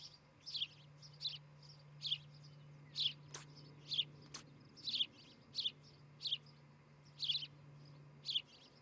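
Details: From a nest camera in Charlo, Montana, a July 2018 morning: an osprey gives a steady series of short, high whistled chirps about once a second. Two sharp clicks and a constant low hum are also heard.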